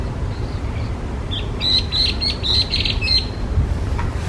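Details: Hwamei, listed in Japan as an invasive alien bird, gives a quick burst of sharp, ringing notes strung close together for about two seconds, with constant low background rumble throughout.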